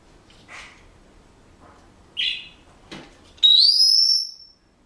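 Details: A pet Senegal parrot gives a few short, scratchy chirps, then one long, clear, high whistle that rises gently and holds for about a second, part of whistled bars of a song he is learning.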